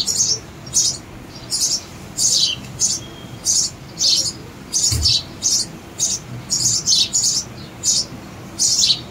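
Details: Nestling sparrows keep up a persistent chorus of sharp, high chirps, roughly two each second and sometimes in quick doubles, with a brief low thump near the middle.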